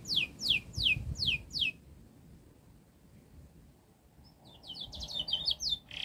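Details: Canary song meant as a tutor for young birds learning to sing: four loud downslurred whistles in quick succession, a pause of near silence, then a fast jumbled burst of high notes.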